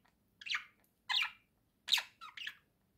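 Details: Budgie sitting on its swing gives four rasping, squawky chirps spaced a little under a second apart in a quiet room.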